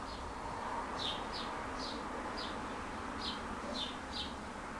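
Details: Swallow at a house where the birds seek a nest, giving short high chirps about every half second in an even series, against a constant broad hiss.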